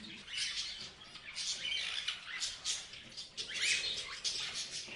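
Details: Several parrots chirping at once, a constant wash of scratchy high chirps and squawks with a few rising notes, over steady background noise.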